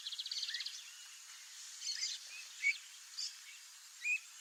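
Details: A wild streamer-tailed tyrant in Brazilian wetland habitat gives a fast rattling run of high notes, then several short, sharp chips and slurred whistles about a second apart, over a soft background hiss.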